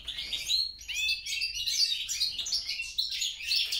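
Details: Goldfinch hybrid, European crossed with grey-crowned, giving lively high twitters in short bursts separated by brief pauses, mixing buzzy trills with sweet slurred notes over a quiet background.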